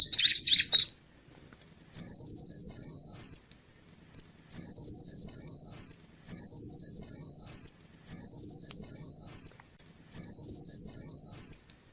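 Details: Male bar-winged prinia: brief scratchy notes, then five high thin trilled phrases, each about a second long, repeated every two seconds or so.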